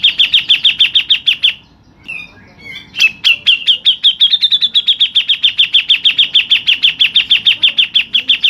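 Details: Long rolling 'ngerol panjang' from a local Grey-cheeked Bulbul: a rapid, steady stream of sharp high notes about three per second, briefly broken by a warbled pause, then resuming unbroken to the end.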